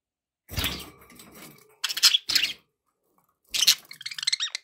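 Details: Caged pet budgies chattering: scratchy broadband bursts and clicks, then a rapid warbled run of wavering chirps at the close, indoors with background noise.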